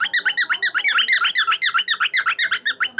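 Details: Cockatiel giving a fast, unbroken run of short, bright chirps that bend down then up, about seven to eight per second, all at an even pitch for the whole three seconds, with no other sounds.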